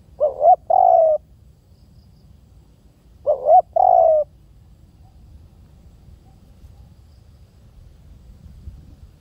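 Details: Spotted dove cooing twice, about three seconds apart: each phrase is a short rising coo, then a longer, mellow, slightly falling coo, in a quiet setting.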